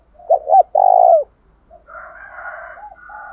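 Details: Spotted dove decoy giving a fighting coo to draw answers from other doves: a quick pair of sharp notes and a sustained loud coo, then lower layered cooing from other birds.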